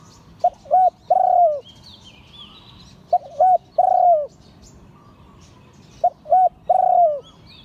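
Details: Liu tan style cooing by a spotted dove. Each phrase has two clipped hoots followed by a long, mellow, falling note, and three phrases come at an even pace of roughly three seconds. Distant small birds twitter faintly behind.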